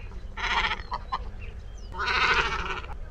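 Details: Great Cormorant giving two drawn-out, nasal, bleating calls about a second and a half apart, with short clicks between them over constant low background rumble.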